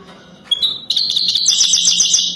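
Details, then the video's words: European goldfinch of the wadani type singing for mating: a few clear tinkling notes lead into a continuous fast, buzzy, twittering trill packed with rapid notes, loud against a faint hum. "اجمل و اروع تغريد حسون وداني رائع جدا"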